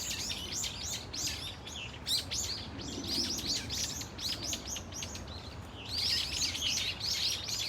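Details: Brown-eared Bulbul flock calling at Dunsan Grand Park, South Korea: dense overlapping high chirps and arched, slurred notes in rapid bursts, with loud clusters at the start and again after six seconds.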